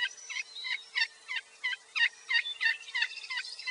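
Wild turkey assembly call: a steady run of about eleven raspy, downslurred yelps, roughly three each second, with a faint background hum.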